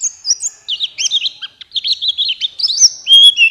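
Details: Buxtoni white-eye song used as a lure to get other white-eyes singing fast and open-beaked: rapid high twittering of short slurred notes, with sharp whistled upslurs near the end.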